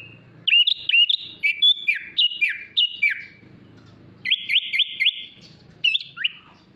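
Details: Sooty-headed bulbul masteran with luxurious isian fill: clusters of sharp, downward-sweeping whistles, then a run of four quick rising upslurred notes and a final falling whistle, with soft low background noise.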